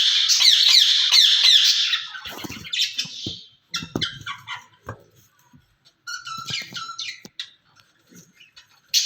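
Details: Pair of ringneck parrots in a cage talking; an opening rush of loud raspy squawks gives way to quieter scattered chatter and short harsh notes with pauses.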